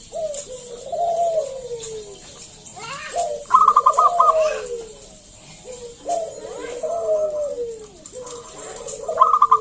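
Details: Zebra dove of local wild stock singing to lure other doves into song: several repeated phrases, each a descending coo followed by a short rattle of rapid staccato notes, with brief quieter gaps between phrases.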